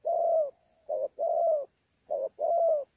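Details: Wild-caught spotted dove recorded at Sa Thầy on 26 November 2019, giving fighting-style cooing with gù notes: a long low coo, then a brief coo with a drawn-out falling one, repeated in a clean, quiet setting.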